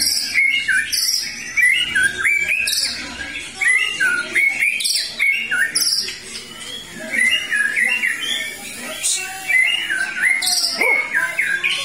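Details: Post-moult white-rumped shama back in song, pouring out a continuous stream of varied whistles, short trills and high, thin notes, with brief pauses between bursts of phrases.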